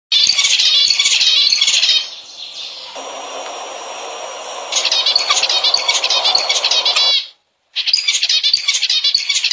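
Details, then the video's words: Zebra finch song played to encourage breeding: bursts of rapid, nasal, buzzy chattering notes with dense stacked tones, repeated many times a second, with a break of low hiss between the bursts and a short silence near the end. "تحفيز طيور الزيبرا على التزاوج عن طريق سماعها لهذا المقطع"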